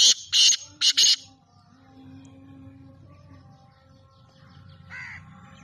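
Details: Francolin calling: three loud, harsh, grating bursts in quick succession at the start, then quieter background with low rumbling noise and a few faint tonal notes, plus a brief softer chirp near the end.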